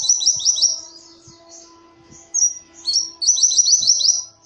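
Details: Oriental white-eye singing energetically as a lure call: fast rattling series of high chirps, a gap with a single thin whistle, then another rapid chirping run.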